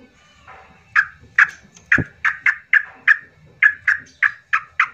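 Yellow-vented bulbul giving a quick run of short, bright chattering notes, roughly three a second at mid pitch, after a soft low murmur.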